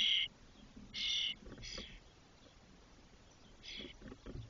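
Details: Spotless starling nestlings aged 21 to 22 days, fully feathered, inside a nest box at Doñana National Park, Spain. Rasping, hissy bursts of about half a second come in a loose series, the first two loudest, with faint rustling between.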